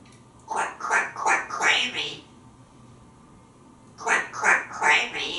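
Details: Pet African grey parrot talking in a bathroom shower, practising alliterative phrases: two bursts of rapid repeated syllables with a rhythmic, word-like cadence in a small echoing room.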